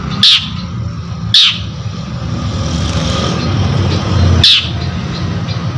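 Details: Long-tailed shrike in full voice, used as a lure to stir other birds: three harsh, rasping bursts, two close together then one more after a pause, over a steady low rumble of traffic-like noise.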